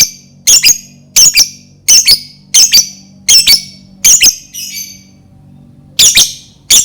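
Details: Lovebird calling to spur other lovebirds into song: rapid doubled shrill chirps in a steady rhythm, a brief break with a softer hiss-like note, then the harsh squawking resumes, over a steady low hum.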